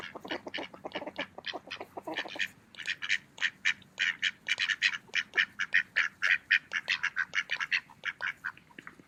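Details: Mallard ducks feeding in a park on an autumn day give rapid, short nasal quacks, at first a dense clatter of clicks and quacks, then louder evenly spaced quacks roughly several per second.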